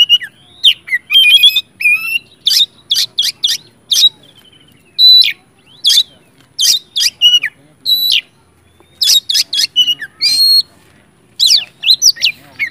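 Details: Oriental magpie-robin in full, emotional song, played to stir other magpie-robins into answering: many loud, sharp whistled notes and squeaky chips in quick irregular runs with brief pauses, some phrases sliding upward.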